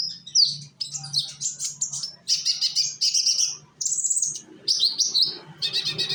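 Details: Sunbird from Indonesia, young bird serving as a song lure; energetic, very high buzzy twittering in separate phrases of rapid notes, broken by short pauses, with faint low background noise.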